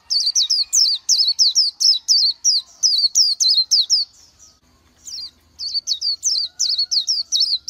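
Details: Oriental white-eye living wild in nature sings a rapid string of sweet, high, falling notes, briefly breaking off near four and a half seconds, then continuing; faint low background hum.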